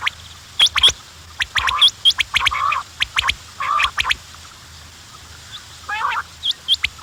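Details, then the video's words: Quails calling, a mix of harsh rasping bursts near the middle register and brief high sharp notes, irregular and overlapping as if several birds call together; low steady hum underneath. "The sound of quails بٹیروں کی آواز"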